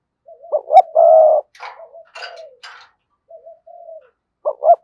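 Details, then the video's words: Decoy spotted dove giving "sa gù" and "thúc bổi" cooing: a quick double coo, then a sustained mellow coo, followed by soft scratchy rustling noises and quieter trailing coos, ending with another short double coo. "Chim Cu Mồi cườm sa gù + thúc bổi nghe là phải gáy"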